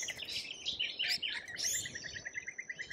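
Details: Lorikeet in Australia: shrill, squealing chatter at the start, then a fast, even series of short clipped notes repeated several times a second, with more high screeches at the end.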